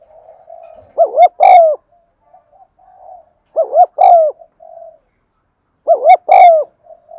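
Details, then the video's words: Caged spotted dove cooing to stimulate other caged birds to coo: three loud mellow coo phrases, each a double rising-falling note followed by a longer coo, about every two and a half seconds, with soft low coos between. "tiếng cu thúc gù hay"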